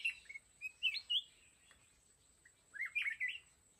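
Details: Red-whiskered bulbul acting as a trap decoy for wild mountain bulbuls gives a few clear whistled notes, then a pause, then a fuller rolling warble at the end, over a faint hiss.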